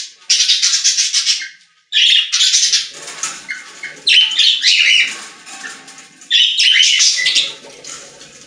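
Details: Pet-store budgerigars singing in loud buzzy bursts of scratchy chatter and squeaky whistles, with short pauses between phrases and softer background twittering.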